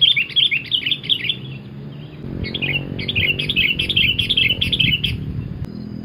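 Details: Sooty-headed bulbul in energetic cemgkram song, used as a trapping lure: a continuous stream of bright, bubbling chirps in quick succession, with a steady low hum beneath.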